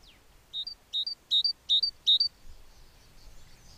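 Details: A great tit chick during feeding gives five quick, high, two-part chirps, each dipping then rising, about three per second, over faint background hum.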